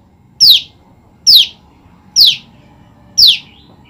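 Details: Female olive-backed tailorbird calling nonstop for its separated mate. Four piercing, downward-slurred notes arrive roughly every second at an even pace, clear over quiet low background noise.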